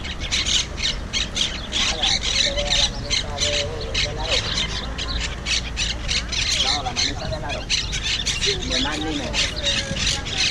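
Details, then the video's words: Wild monk parakeets, an invasive species, at Malagueta beach in Málaga, Spain, recorded with a GoPro 5: harsh squawking calls repeated rapidly over steady surf-like noise, with people talking nearby. "Wild Parrot (Monk Parakeet) sounds"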